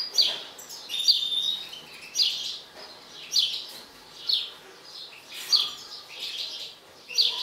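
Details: Mutant European goldfinch in an agitated state repeating a short, bright twittering phrase with a sharp whistled start, about once every second.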